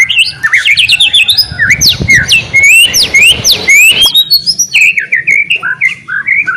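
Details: White-rumped shama singing vigorously to spur other shamas to sing: a continuous stream of varied, sharply rising and falling whistled notes, changing quickly and packed closely together.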